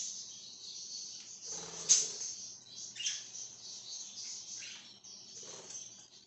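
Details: Pet budgerigar chirping, dated 26 July 2023: soft, continuous high twittering chatter with scratchy warbled phrases, a louder sharp chirp near two seconds, and brief clicky noises in a quiet indoor setting.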